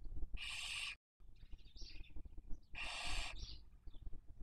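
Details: Barn owl nest webcam, Cabañeros National Park, Castilla-La Mancha, 2023 breeding season while raising young: two loud, broadband rasping screeches about two and a half seconds apart, with softer wheezy calls trailing the second.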